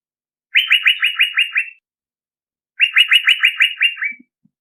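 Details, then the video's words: Male Asian fairy-bluebird giving a lure call: two bursts of rapid, clear repeated notes about a second apart, each of seven or eight notes, the second ending with a lower note. "Suara pikat burung cucak biru jantan"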